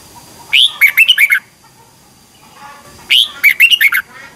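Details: Red-whiskered bulbul singing competitively in the morning, delivering two lively phrases of six or seven warbled whistled notes, each opening with a rising slur, separated by a short pause.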